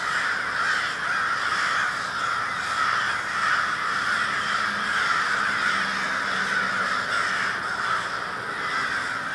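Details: Large group of crows calling together in Minneapolis, MN, February 20, 2020; countless rasping caws blend into a continuous wall of sound, with a faint low hum beneath around the middle.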